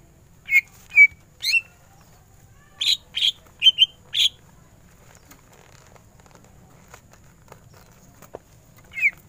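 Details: Greater green leafbird singing in the energetic ngentrok style with full bursts: scattered short sweeping whistles, a quick cluster of bright notes near the middle, then long pauses with faint background clicks.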